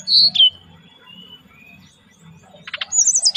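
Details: Relaxed lure song of a brown-chested jungle flycatcher: a loud high whistled note sliding down, a long near-silent gap, then a quick buzzy burst followed by rapid high twittering notes.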